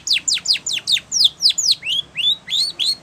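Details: Spanish Timbrado canary singing for training: a regular series of loud, high downslurred notes roughly every quarter second, shifting to several upslurred whistles at the end, clear and clean.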